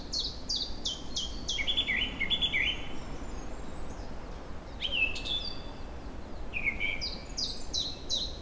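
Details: Newly returned birds in an April forest and meadow, near a river carrying spring floodwater. Scattered bursts of high falling whistles, a short warbled run and single sliding notes come and go over a steady low background roar.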